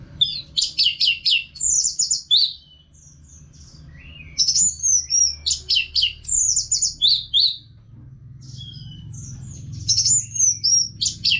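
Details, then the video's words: Nonstop song of a caged orange-headed thrush: rapid clusters of sharp, high chirps alternating with slurred whistled phrases, sung in bursts separated by short pauses over a steady low room hum. "ANIS MERAH GACOR TIADA HENTI TANPA NGETEM"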